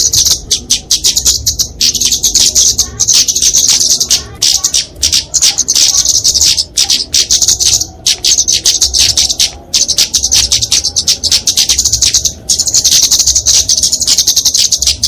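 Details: Fighting song of a kemade flowerpecker, used for training and luring small birds: sustained piercing high twitter in long phrases of several seconds, separated by short silences.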